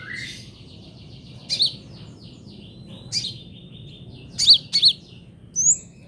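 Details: Kolibri ninja (brown-throated sunbird) trotol song used as a tutor recording for songbirds: a sparse phrase of short high chips and paired sharp notes spread over several seconds, with a thin buzzy undertone between them.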